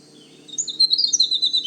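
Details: Male Winter wren singing early in the season at Manchester Cedar Swamp Preserve, New Hampshire: a rapid, high, tumbling stream of tinkling notes and trills after a half-second pause, over a low steady hum.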